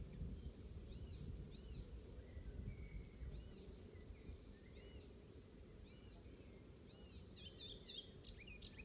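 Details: Icterine warbler in a Pieterburen garden, 17 May 2022, imitating an oystercatcher: loud piping, arched high notes given singly or in pairs at irregular intervals, then a brief scratchy chatter, over low background noise.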